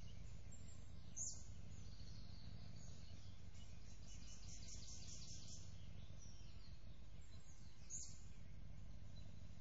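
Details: Six-week-old bald eagle chicks at their nest in early morning as their father delivers an orange fish: thin, high harmonic calls rise briefly a few times over a steady hiss of background noise.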